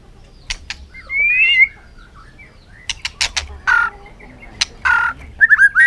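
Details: White-rumped shama, fired up and giving fighting song in afternoon sun while bouncing on its perch; a sparse run of sharp clicks, a rising whistled slur and several short fluty phrases separated by quiet gaps.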